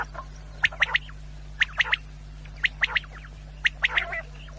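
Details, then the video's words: Quail call, offered as a night-time sound for hunters: sharp, clipped notes in quick triplets, each group repeated about once a second, steady low hum underneath. "1 quail sound Great sound for hunters brothers"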